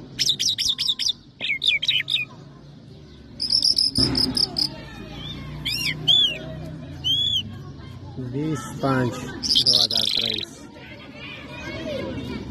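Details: Lark of the Mashadi jal type, also called Irani or Afghani jal, in a varied full song: quick high trills, rising and falling whistled slurs and chattering notes in irregular bursts over a low hum and faint background chirps.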